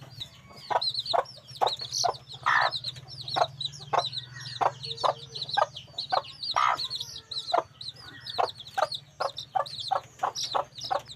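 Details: A black red junglefowl hen gives sharp, dry clucks in a quick uneven series, two or three a second, over a steady low hum.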